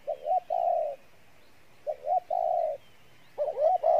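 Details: Spotted dove cooing, a good voice: a quick two-part rising note then a long even coo, phrases repeated roughly every one and a half seconds, the last one starting again at the end.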